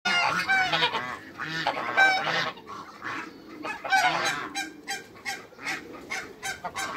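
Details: African gander and Toulouse goose, a newly formed pair kept in a backyard for hybrid breeding, giving loud, harsh, rasping honks in rapid irregular bursts, several overlapping calls per second, with brief quieter gaps between outbursts.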